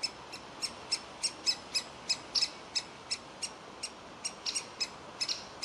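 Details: A young woodpecker that will not leave its nest cavity begs for food; a long, even run of short piercing high notes, some doubled, about two to three each second.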